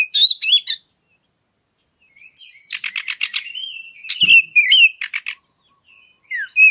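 An oriental magpie-robin sings in bursts of clear high whistles mixed with rapid buzzy trills and chattering notes, with short pauses between phrases and one faint thump.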